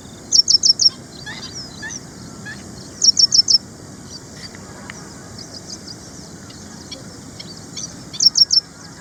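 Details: Ashy prinia, also called ashy wren-lark (Prinia socialis), a small songbird of Indian gardens and farmland: three bursts of rapid, high, thin chirps near the top of the range, about six notes each, with faint scattered chirps between over low background noise.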